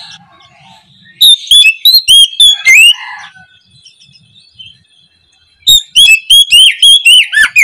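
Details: Kacer, or oriental magpie-robin, singing ngeplong in the morning as a lure to draw replies from quiet birds: two loud runs of fast, bright whistled notes, each about a second and a half, with a hushed pause between them.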